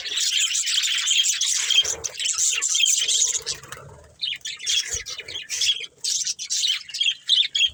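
Budgerigars chatter in a dense stream of high, warbling chirps and squeaky twitters.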